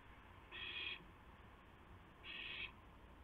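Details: Owl at 2:51 AM on April 2, 2016, as one owl brings a gopher to another: two harsh, breathy hissing screeches, each about half a second long, separated by a pause of nearly two seconds.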